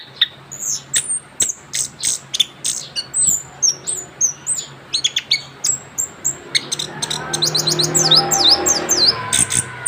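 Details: Young orange-headed thrush after moulting sings in rolling ngerol fashion, with spaced high whistles and chips becoming a fast run of sweeping slurred notes, while a broad hissing noise rises toward the end.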